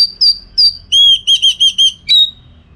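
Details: Orange-headed thrush song for training contest birds: two high slurred whistles, then a quick run of five clear, even whistled notes and a closing downward whistle.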